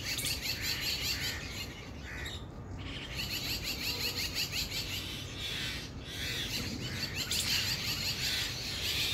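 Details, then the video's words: Mynas, a family group in an Indian garden, keep up a rapid chatter of chirps and squawks, roughly three notes per second, broken by brief lulls, over constant low-pitched background noise. "Myna Bird birds chirping"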